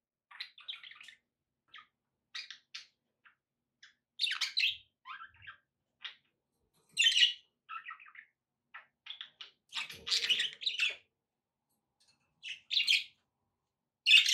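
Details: Budgerigar chatter in a room: scattered chirps, buzzy warbles and squeaky bursts come in irregular clusters, some phrases louder and denser than others.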